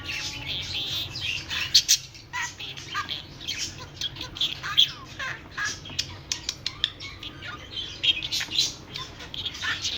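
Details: A talking budgerigar chatters in rapid, scratchy warbles mixed with sharp clicks and squeaks.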